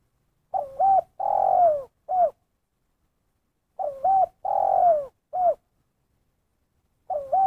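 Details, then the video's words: Repeated 'kuk satu' call of a spotted dove. Two complete low phrases about three seconds apart, each a dipping double coo, a long falling coo and one clipped kuk, with a third phrase just starting. "Suara Panggilan Terkukur Kuk Satu"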